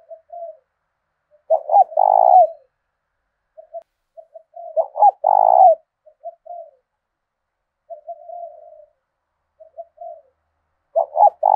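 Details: Spotted dove, a decoy bird with a 'thổ đồng' voice for luring and provoking wild doves. Loud, throaty, vibrating coo phrases come about every three seconds, with soft short coos between them. No other sounds.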